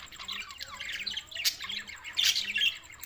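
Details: Budgerigars recorded June 7, 2024 in Larkana, Sindh: short burst of crowded scratchy chatter and squawky chirps from several birds, with a soft low hum beneath.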